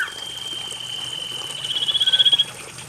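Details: Common iora song played to encourage silent birds to sing: a long, even high trill that grows louder and more pulsed toward its end, then stops abruptly, over a background of running water.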